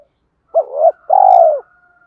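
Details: Spotted dove calling to hens while urging a fight, used to excite a decoy: a quick rising note slurring into a wavering middle coo, then a long, full, slightly falling coo, with a faint short chirp above.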